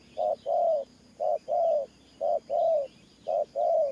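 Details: A spotted dove coos in the Thổ Pha gù manner, four clear pairs of a clipped low note followed by a longer, slightly falling coo, with quiet outdoor chirping behind.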